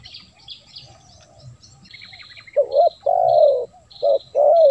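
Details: Spotted dove luring call: after a stretch of high thin whistles and chirps from other birds, loud mellow coos start, a short note then a longer rolling one, repeated.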